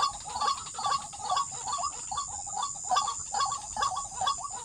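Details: Waterhen at a trapping site giving close, loud, somewhat uneven runs of rough clucking notes, with a constant high-pitched insect drone behind.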